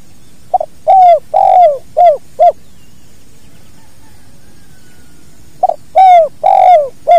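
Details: Spotted dove, natural recording used for training other birds, giving the two-part 'kuk dua' call: a short note, then two long cooing notes and two short ones, phrases repeated about five seconds apart, with a low hum underneath.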